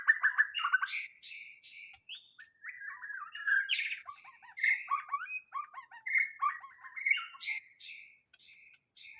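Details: White-rumped shama used as a trapping decoy pours out a long, rich song of varied whistles, slurred notes and quick chattering phrases, steady throughout, with a continuous high electronic whine in the background.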